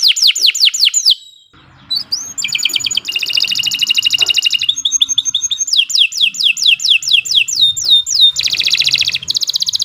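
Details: Canary tutor singing: opening falling sweeps, a short pause, then dense rattling trills alternating with runs of whistled swept notes.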